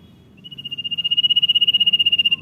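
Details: Common iora song in the 'dor nyiul' style: one sustained, quivering high whistle swelling in loudness for about two seconds before ending abruptly, with faint low rumble behind.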